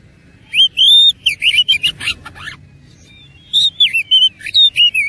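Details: Oriental magpie-robin (kacer) singing hard in fighting mood with rich fill: loud, clear rising whistles and buzzy chatter, a quiet gap of about a second, then twisting whistled notes resume.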